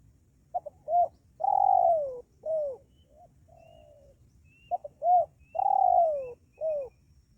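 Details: Luring call of a spotted dove for drawing in wild birds: two repeated phrases of quick doubled notes, a long descending coo and a shorter falling coo, with a faint softer coo between them.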